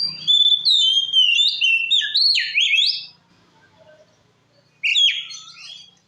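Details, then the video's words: Lure song of an Oriental magpie-robin in loud, open ngeplong style, meant to provoke other males. A long stream of varied sweeping whistles, a short pause, then one more whistled burst. "Suara Kacer Gacor Ngeplong Ampuh Memancing Emosi Kacer Lain - Pancingan Kacer"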